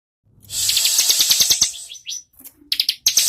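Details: Bar-winged prinia singing a fast series of sharp, high, buzzy notes, about a dozen in quick succession, then a brief pause and a few more clipped chirps.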